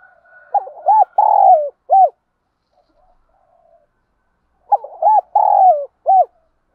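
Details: Spotted dove calls used as a lure to stimulate trained doves, male and female birds included; a phrase of short hooked notes, a long mellow coo and a final clipped note, repeated twice after a pause.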